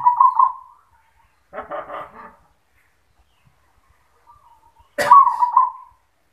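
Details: Zebra dove, a kept bird singing in the 'yoman' voice, gives two soft, rolling, trilled coos, one at the start and one near the end, with a brief rough non-bird sound in between.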